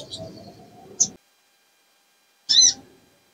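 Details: Breeding female little spiderhunter calling to attract males, giving a thin high chirp and, after a pause, one louder, wavering shrill note.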